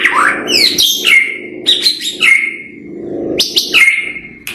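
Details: Loud white-rumped shama song: strong fluty whistles and sharp high chips in repeated bursts, over a steady low background hum.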